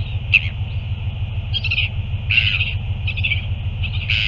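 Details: Northern royal albatross during a feed, recorded 9 February 2024: a series of short, harsh, chattering calls repeated about every half second to second, over a steady droning hum and low rumbling wind noise.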